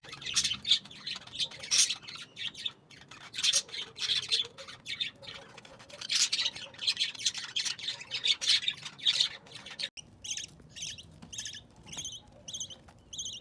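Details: Pet budgerigar chicks, around the time the eldest has left the nest, give rasping, high squawks in dense bursts, then a run of quick chirps.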